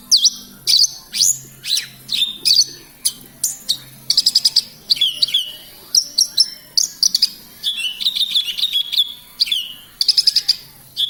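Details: Horsfield's bush lark from Kediri in lively song: rapid high chirps mixed with buzzy trilled clusters and short rattling bursts, delivered in uneven phrases, with a faint low droning hum beneath.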